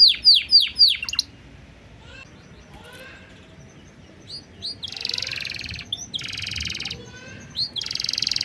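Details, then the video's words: Canary master song in a 'blak strut' flavoured style, used to provoke other birds into singing: quick falling whistled sweeps repeated in a burst, a quiet gap with faint chirps, then loud buzzy rattling rolls separated by short pauses. "masteran kenari cengkok super rasa blak strut - bikin burung lain kepancing gacor"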